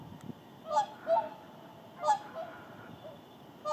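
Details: A flock of whooper swans resting in the Indalsälven delta during migration south gives loud, bugling honks, single and paired, at uneven intervals of about a second over a quiet background.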